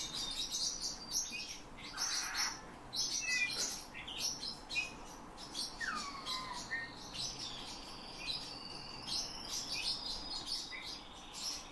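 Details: Caged Eurasian bullfinch trained by its owner, imitating the owner's whistling and phrases of nightingale and thrushes: high thin chirps repeated rapidly, with clear descending whistles around six seconds in.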